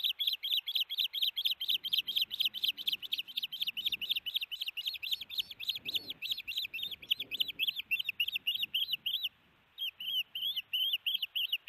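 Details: A long bout of shrill whistled chirps from an osprey at the Hellgate nest in June 2018, as a big fish is delivered. The notes are rapid and continuous, with a short gap near the end, and faint low rustling is heard underneath.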